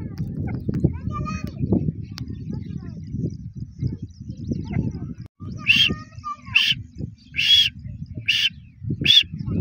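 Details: Grey francolin calling after a stretch of human speech: five loud, harsh, ringing notes delivered in a rapid, roughly even series near the end.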